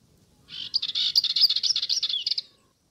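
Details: A Dartford warbler (Curruca undata) sings on its heathland home in the South Downs in spring, its loudest season: a fast, scratchy, chattering warble of about two seconds, high and buzzy with rapid jumbled notes.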